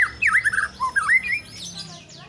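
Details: White-rumped shama song: fluid, looping whistled phrases rising and falling in quick succession, ending in fainter high sweeping notes.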